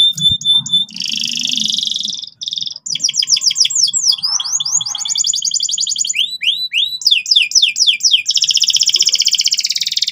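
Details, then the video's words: Persistent, loud canary song meant to tutor young canaries in trilling: high chirps, a dense buzzy roll, then runs of quick downward-slurred whistles and a final steady rapid trill, with a faint low rumble underneath. "suara kenari gacor ngotot keras biar kenari paud cepat belajar bunyi ngeriwik"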